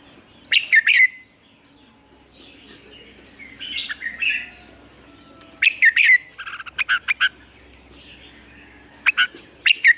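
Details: Red-whiskered bulbul, a caged lure bird used for training other bulbuls to sing; bursts of loud, sharp chirping notes around the upper-middle range, with short warbled phrases, recurring roughly every few seconds between quieter gaps.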